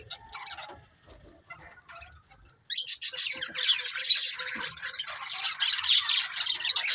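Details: Budgerigars, more than one bird: faint scratchy twitters for nearly three seconds, then a sudden loud burst of fast, grating warbled chirps and squeaks that continues to the end.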